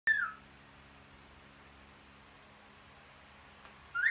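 A cockatiel gives clear, loud wolf whistles: a falling whistled note, then a rising one after a pause.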